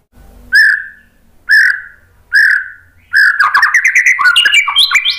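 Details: White-rumped shama song used to lure other birds into answering: three loud, slurred whistled notes about a second apart, then a quick jumble of chattering, rising and falling whistles.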